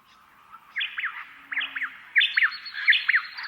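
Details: A pair of White-eared Honeyeaters duetting in the dawn chorus, taking turns with their only dawn song phrase: bright, slurred whistled bursts of rising and falling notes about every second, one bird in each stereo channel.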